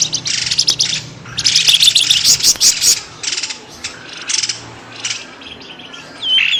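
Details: Lure call for drawing birds out of undergrowth: clusters of high, scratchy chirps come in uneven bursts, loudest early on, then fade to sparse notes before a final rising whistle.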